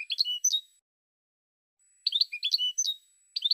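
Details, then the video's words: European goldfinch in 2016, producing fast, varied high twittering with slurred and buzzy notes in short clustered phrases separated by brief silence. "Cante De Jilguero"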